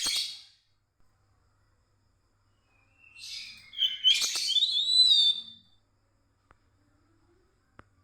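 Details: White-rumped shama night song used as a lure for a bird that will not sing: a harsh burst, then after a pause a rich phrase of mixed buzzy notes and clear rising whistles, ending in quiet.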